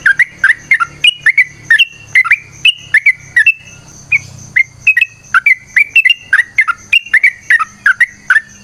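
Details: Yellow-vented bulbul in a long, rapid 'ropel' song of the 'tarung' style, used as a lure: bubbly, liquid two- and three-note phrases tumbling up and down, delivered in a nearly continuous chattering stream with only a brief pause midway.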